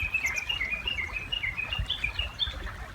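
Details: By a river, a Japanese bush warbler gives one of its two different songs: a rapid, steady run of about fifteen short, clear, high notes, roughly five each second, alternating slightly in pitch, over soft water noise.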